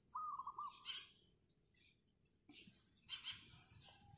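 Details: A wild zebra dove, heard from a roof in the morning, opens with one quick rolling coo of bubbling notes, followed by harsh high chirps from other birds.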